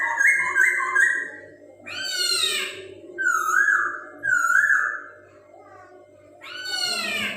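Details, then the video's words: Chinese hwamei, a captive songbird, singing to stimulate other birds' breeding urge: clear whistled phrases near mid pitch alternating with harsh, harmonic-rich buzzy downslurred notes, with a steady low hum underneath. "Poksay Hongkong Suara Unik Cocok Buat Merangsang Birahi Burung Anda"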